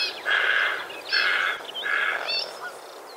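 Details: White-faced heron in Australia, recorded 2 January 2019, giving three harsh, raspy croaks, each about half a second long, spaced under a second apart, with faint chirps between.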